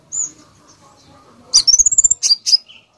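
A Konin bursts into a rapid run of about a dozen sharp, high chirps and squeaky trills, packed tightly over one second after a lone whistled note.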